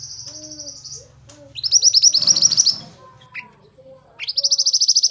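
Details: Training recording of a Pied bushchat singing lively: a sustained high buzzy note, a rising fast trill overlapped by rustling noise, then a quick upward-swept trill of evenly repeated notes.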